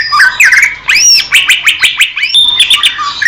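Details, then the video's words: Greater green leafbird from the wild in Indonesia, clear masteran song: tangled, warbling phrases of arched whistles and slurred notes overlapping, rich and varied throughout. "SUARA MASTERAN CUCAK IJO JERNIH"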